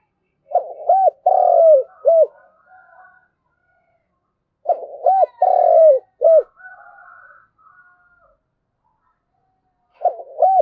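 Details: Spotted dove calling the flock, its cooing phrase of short arched notes, a long coo and a closing note repeated about every four and a half seconds, with soft chatter between.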